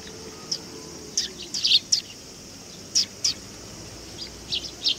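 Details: At a Tenmangu shrine on 18 August 2020, sparrows gathering for food utter scattered bright chirps, singly and in quick pairs and clusters, with gaps of a second or so between bursts against faint background hiss.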